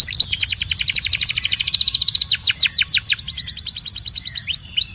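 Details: A Belgian canary sings a fast rolling trill of short notes, then slower descending whistled sweeps and another quick trill.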